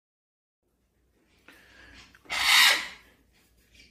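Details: A short, harsh scraping or rubbing noise swells and fades against a quiet background.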